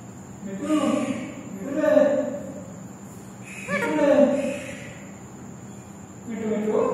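A parrot talks in four short, speech-like bursts about two seconds apart, with voice-like harmonics in a quiet indoor room.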